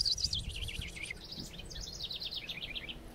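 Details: House wren sings two rapid, bubbly, explosive bursts of high chattering notes tumbling up and down over a low rumble, from a park atop a small coastal mountain, upset robins nearby.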